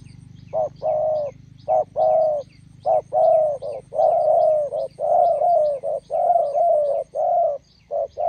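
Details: Decoy spotted dove meeting a wild dove at a roadside site in Gia Lai, Vietnam: dense, overlapping throaty coos, short notes leading into longer wavering ones, with soft high chirps and a low hum beneath.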